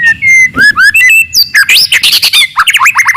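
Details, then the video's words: White-rumped shama of forest stock in loud, aggressive song meant to anger rival birds: dense, clear, varied whistles and rapid squawky notes with sweeping slurs, ending in a fast stuttered series. "KICAUAN MURAI BATU HUTAN, VOLUME KERAS, AMPUH MENAIKAN EMOSI LAWAN"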